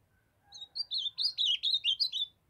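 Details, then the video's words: Ultramarine grosbeak, a young bird still brown, from the Brazilian Northeast: one quick warbled phrase of about eight slurred, rising-and-falling high notes lasting under two seconds, with faint low rumble behind. "Azulão jovem cantando fenômenal❤O lindo canto azulão do Nordeste"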